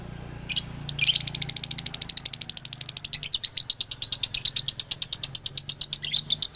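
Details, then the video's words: Male Galendo lovebird from Ciamis. The dobelan song starts with a few scattered harsh squeaks, then builds into a sustained, very rapid train of high, sharp chirps. "SUARA ASLI DOBELAN LOVEBIRD JANTAN"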